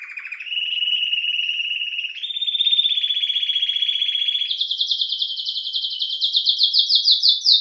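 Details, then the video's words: Belgian canary delivering long, level rolled tours that step up in pitch twice, finishing with a rapid series of bright repeated chirps; a single bird, with no background noise. "CANÁRIO BELGA CANTANDO"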